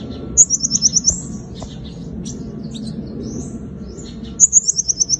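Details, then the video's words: Five-coloured sunbird's fighting song used as a lure: two short high trills of about seven quick descending-stepped notes each, separated by soft faint twitters. "Tiếng chim hút mật 5 màu dùng đi mồi đánh bổi - Tiếng chim hút mật 5 màu hót đấu"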